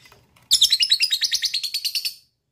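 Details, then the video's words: Lovebird, whose sound is meant to get other lovebirds trilling: an abrupt, fast series of scratchy high pulses lasting under two seconds, fading at the end. "DENGARKAN suara LOVE BIRD ini,,bisa m3micu lb untuk ngekek"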